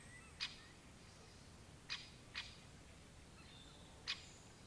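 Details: Great spotted woodpecker giving four sharp, short 'kik' notes at uneven gaps, with faint thin whistles of other birds and a steady low outdoor hum behind.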